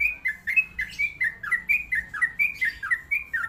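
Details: Sooty-headed bulbul, a trucukan kept as a songbird, singing a fast run of bright chirped whistles, each note sliding down, about fourteen notes in three and a half seconds with a steady bouncing rhythm.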